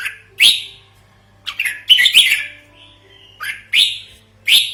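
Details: Red-whiskered bulbul calls used as a trapping lure and a training model: sharp, harsh notes sliding upward in separate bursts, about six in under five seconds, over a faint low hum.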